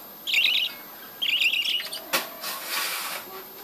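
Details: Budgerigars in a breeding colony: two wavering warbled chirps, followed by a long stretch of broadband rustling or scraping noise.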